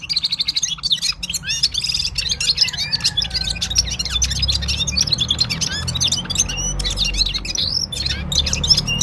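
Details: Full-power singing by a Parachinar Gulsar (Himalayan bulbul), an unbroken run of high twittering chirps and slurred warbles, with a low rumbling background.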